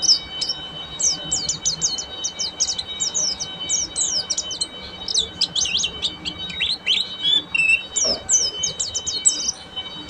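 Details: Long stretch of buxtomi Oriental white-eye ngeriwik singing, fast rattling series of high chirps repeated in tight clusters, with a steady thin electronic tone running underneath and a single soft thud near the end.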